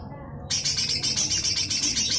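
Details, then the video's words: Lesser green leafbird (cucak hijau mini) singing its coarse 'besetan kasar' phrase, used to tutor magpie-robins and shamas: after a brief lull, a loud steady run of harsh rasping pulses repeated rapidly and evenly. "Full besetan kasar suara cucak hijau mini"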